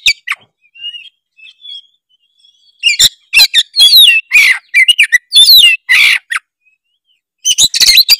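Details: Oriental magpie-robin in gacor song, offered as a lure to start other magpie-robins singing: soft scattered whistles at first, then a dense loud stretch of varied chattering, slurred and buzzy phrases, and a final burst.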